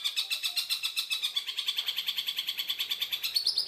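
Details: Tengkek buto in clear, rough, lively master song for training other songbirds: a rapid run of harsh, buzzy, chattering notes, about seven per second, high-pitched and steady, ending in a higher rasping burst.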